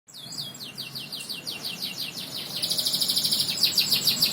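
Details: Canary singing a series of quick, falling whistled notes. These give way to a fast, high, ringing trill that grows louder toward the end.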